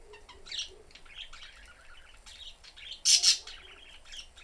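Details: A family of three caged pet budgerigars, father, mother and young, going about a normal day in the cage; soft twittering warble of rapid high notes, then a sudden loud double chirp.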